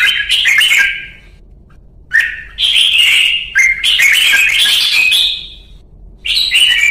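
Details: Red-whiskered bulbul, called chào mào in Vietnam, singing luyện ché training song: energetic bursts of whistled, chattering notes, some long and slurred, separated by pauses of about a second.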